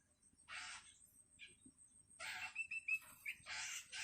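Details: Hungry long-tailed shrike chick calling its parent: three harsh, rasping, hissy bursts, each under half a second, with a few brief whistled notes between them.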